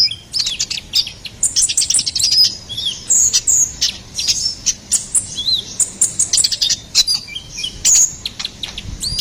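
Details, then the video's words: Ruby-cheeked sunbird, locally konin kolibri ninja, singing for songbird tutoring and luring: a long run of high, sharp twittering notes with thin whistled slurs, busy and continuous with brief gaps. "SUARA GACORAN KONIN KOLIBRI NINJA SERBAGUNA PALING AMPUH"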